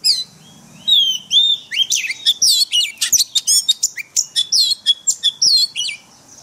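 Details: Oriental magpie-robin delivering wild forest-voice song for daily cage-bird training: clear whistled slurs open the phrase, then dense, fast sequences of high twittering notes and looping sweeps, nearly continuous.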